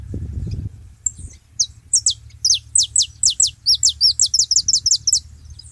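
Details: Saffron finches together at a feeding spot: after a brief low rustle, a lively series of high, clipped chirps speeds up into a rapid, ringing run of short downslurred notes.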